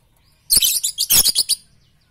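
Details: Lovebird training song for morning, noon and night: one dense burst of rapid, high, scratchy chirps lasting about a second, pulsing in quick beats before fading out.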